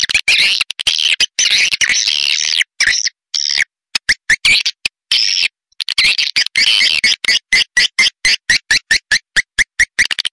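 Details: Pancawarna lure sound for edible-nest swiftlets: early runs of buzzy chattering twitter give way to a fast, evenly spaced series of short chirping clicks, roughly four per second.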